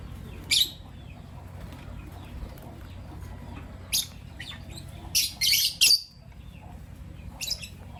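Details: Green personata and pastel white lovebirds in the morning give sharp, shrill, high chirps in irregular bursts, some single and some clustered in rapid pairs, over a steady low background hum.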